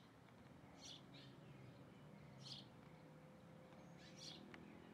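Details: Feeding hornero giving three spaced bursts of short, high chip notes, soft and distant-sounding, with a continuous low rumbling background.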